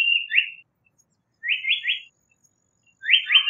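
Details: Three phrases of a Japanese paradise flycatcher, each a quick set of two or three rising, slightly burry whistles, spaced about one and a half seconds apart in clean quiet.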